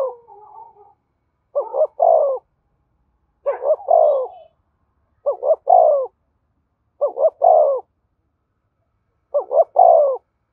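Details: Spotted dove giving the urging coo used to stimulate decoys and train lure birds: soft coos at the start, then five three-note phrases of two short hoots and a longer descending coo, about two seconds apart.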